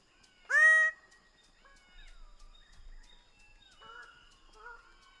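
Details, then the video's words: Greater bird-of-paradise with one loud, brief nasal honk at the start, followed by softer whistles and chatter from other birds in the background. "Greater bird of paradise sound"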